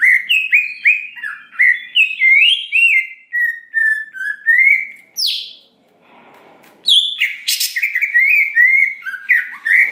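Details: Greater green leafbird song used as a trigger to make birds respond: brisk whistled slurs and a drawn-out descending phrase, a sharp upward sweep, a gap with soft background noise, then harsh bursts and renewed warbling.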